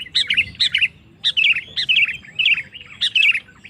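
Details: Sooty-headed bulbul, called kutilang, in full song meant to provoke other males: short bubbling phrases of two or three warbled notes, repeated about every half second with brief pauses between bursts.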